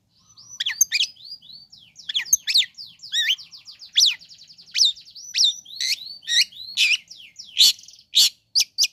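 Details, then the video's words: Long-tailed shrike song used to stir other shrikes into calling: a dense, varied run of quick chirps, squeaky slurred whistles and sharp high notes, packed closely and growing louder toward the end. "Bikin Cendet Loyo Kurang Emosi Agar Segera Terpancing Emosi &Ikut Bunyi"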